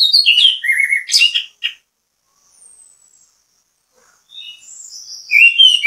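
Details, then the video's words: Orange-headed thrush song played as bait to get other orange-headed thrushes singing: a quick run of varied whistled and chirping notes, a long pause with faint high notes, then more bright whistles near the end. "ANIS KEMBANG GACOR MEMBUAT ANIS KEMBANG IKUT BUNYI, PANCINGAN ANIS KEMBANG"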